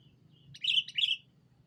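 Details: Sooty-headed bulbul used as a lure to call a rival. One loud, bright phrase of two rich, gurgling notes given in quick succession, with a faint low hum behind.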